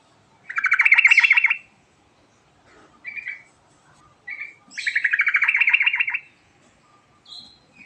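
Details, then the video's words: Rolling ngerol song of a yellow-vented bulbul: two long bubbly warbled phrases of quickly repeated liquid notes, separated by short clear whistled single notes and brief chirps. "Burung Trucuk Ngerol Gacor"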